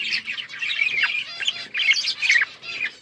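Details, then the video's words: Budgerigars in a forest-style aviary chattering: a dense stream of short warbled chirps and quick rising and falling twitters, overlapping calls from several birds with brief pauses between bursts. "Budgies in forest environment aviary birds chirping"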